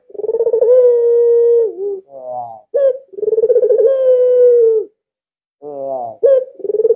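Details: Two long purring coos from a very vocal albino ringneck dove used to draw other doves into calling, each sliding lower at the end, with short laughing notes between them.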